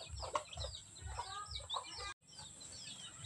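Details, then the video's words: Farm chickens in the Philippine countryside at the start of mating season: soft clucks and brief upward calls repeating over a continuous low mechanical drone, with a short cut near the middle. "Mating season Starts..."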